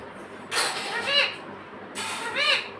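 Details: Pet parrot talking: two husky, two-part word-like utterances about 1.5 seconds apart, each ending in a bright, bending harmonic syllable, like a repeated "mummy", over faint background hiss.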